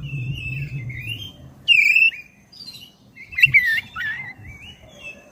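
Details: Black-breasted oriental magpie-robin in long, vigorous song used as a lure to provoke other birds: scattered whistled notes, one loud rising-falling phrase near two seconds and a burst of chattering notes after three seconds, over a low rumbling background.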